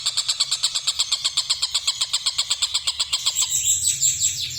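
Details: A kingfisher calling: a steady series of sharp, clipped notes repeated about four times a second, turning into a rougher, buzzier stretch near the end.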